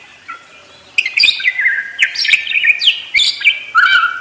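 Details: Parakeet song: a run of chirps and twittering warbles that slide between high and mid pitch, starting after a quiet second and continuing in dense bursts to the end.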